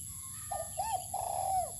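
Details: Spotted dove being sunned outdoors on open land, giving a short cooing phrase: a brief soft note, then a rising-falling coo and a longer drawn-out coo that slides down at the end, over low steady background hum.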